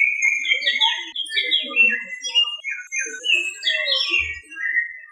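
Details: A male ruddy-breasted seedeater (Sporophila minuta), swaying on a branch among green weeds, sings a run of sweet, varied whistled notes slurring up and down in quick succession, with one brief low thump near the end.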